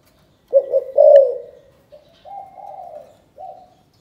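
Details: Spotted dove from Cần Thơ, Vietnam, giving a calling coo in the chụp chụp ô style: low, throaty cooing notes, a stronger burst at first, then softer drawn-out hooting coos, with quiet pauses between.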